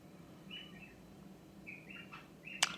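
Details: A budgerigar, talking after a carrot dinner, gives soft, scratchy warbled chirps in short phrases, ending with a sharp click.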